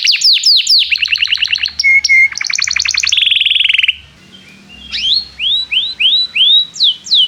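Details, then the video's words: Varied canary song for teaching young canaries: falling whistles, stuttered trills and a buzzy roll, a short gap, then slow repeated rising whistled notes about two per second. "Kenari gAcorr cuit cuit emosi, Pancingan untuk kenari Paud belajar bunyi"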